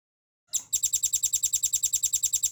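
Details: A velvet-fronted nuthatch, recorded as tutor material for cage birds, bursts into a quick, steady rattle of sharp, high-pitched chips after a short silence, about eight notes per second.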